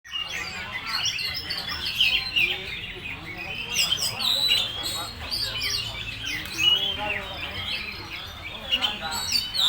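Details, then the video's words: Oriental magpie-robin (kacer) singing a "full materi" song: dense, rapid, varied chirps and whistles running almost without pause, with overlapping notes and faint background chatter. "Suara burung KACER full materi"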